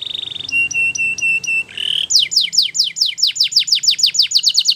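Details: Belgian canary song used for training young canaries: a pure whistled note, a run of clipped notes near one pitch, then a fast series of descending buzzy sweeps repeated rapidly with a soft low hum beneath.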